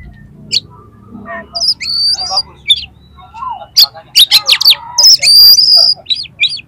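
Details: Oriental magpie-robin song with rough fill notes meant to excite other magpie-robins: scattered high whistles and soft squeaks, then a loud cluster of harsh buzzy bursts and long high whistles near the end.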